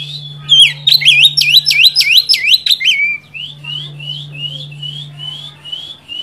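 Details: Oriental magpie-robin song aimed at provoking a rival: a fast series of loud swooping whistles followed by an even run of short rising notes, over a constant low hum.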